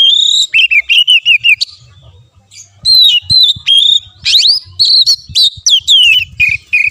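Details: Oriental magpie-robin (kacer) song used as a masteran tutor recording to prompt a caged bird that will not sing: loud, varied whistled phrases with rapid repeated notes and sweeping slurs, a brief pause near two seconds, then dense bursts resume over faint low background noise.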